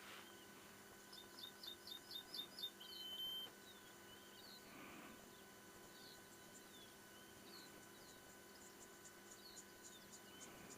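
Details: A Rosy-breasted Longclaw, rarely heard, gives a quick series of about eight high, chirped notes ending in a thin whistle, at sunrise in April; fainter bird calls follow over a steady hum.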